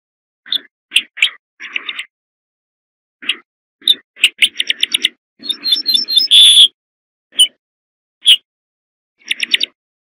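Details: Corn bunting delivering a full song of stuttering dry tick notes that gather speed into a loud metallic jangling flourish, then further spaced ticks and short clicking bursts.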